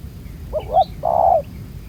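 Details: Brief phrase from a spotted dove, a black-collared wild field bird caught on the ground with a decoy: a couple of quick wavering notes, then one long low hollow coo, thin bird twitters above.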